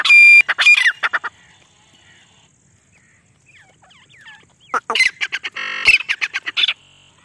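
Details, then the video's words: Female grey partridge heard in jungle, its call used to attract birds for hunting: a burst of harsh loud notes at the start, near silence, then another rapid rasping series. "Desi teetar madi ki Shikar wali voice"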